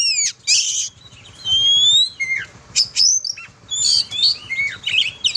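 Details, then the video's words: Melodious song of an oriental magpie-robin, or kacer, for training other birds: sharp high whistles, rising slurred notes and buzzy bursts in short phrases with brief pauses between them, over a faint low hum. "Kicau burung kacer"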